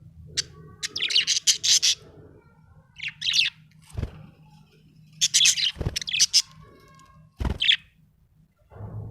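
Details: Scratchy, fast budgerigar chirps in several short bursts, punctuated by sharp knocks or taps, with a low hum in the background.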